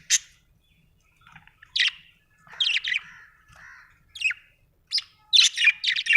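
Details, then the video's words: Budgerigar chattering with crisp, high chirps and short buzzy squawks, separated by brief pauses, building into a rapid run of bright notes near the end. "Budgie chirping sound"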